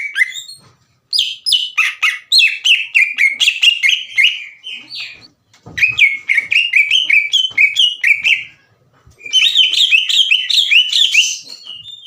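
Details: Greater green leafbird, kept bird, in loud aggressive song challenging another leafbird: long bursts of rapid, harsh chatter and tumbling whistled notes with short silent gaps between bursts.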